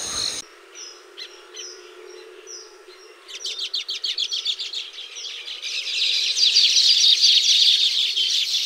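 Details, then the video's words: Baya weaver calls while nesting in tropical habitat: thin, high, down-slurred whistles about twice a second, then a fast chattering series rising into a dense, wheezy buzzing chorus. "The Baya Weaver’s Amazing Nests | Tropical Birdlife Sounds"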